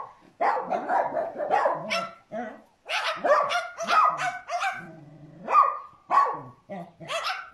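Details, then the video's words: Dog-like barking imitated by a cockatoo: uneven harsh barks and yaps, some drawn out into whining tones, tumbling together with short gaps. "Cockatoo Barks Like Dogs"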